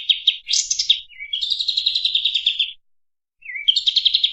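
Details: Clear Kapas tembak song for tutoring other songbirds: bright chirps and a loud buzzy burst leading into a sustained rapid trill, a pause, then a low upslur and another quick trill.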